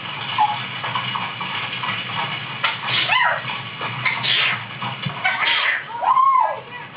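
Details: A 16-year-old female grey parrot, molting and in spring mode, mimics squeaky toy sounds, calling the dog, barking and sneezing in short bursts over a steady hiss.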